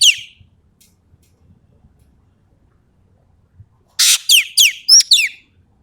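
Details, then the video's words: , a Sumatran bird in full song: a harsh, squawky burst of down-slurred notes opens, then a pause, then five loud, rasping, descending squawks in quick succession near the end. "BURUNG EKEK KELING SUMATERA GACOR FULL MATERI TEMBAKAN"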